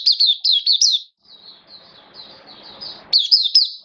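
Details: Oriental white-eye (mata puteh), caged hobby bird, in buka sing opening song on 11 September 2022: a quick run of sweet, looping high twitters, a softer thinner stretch, then another bright burst of wavering notes.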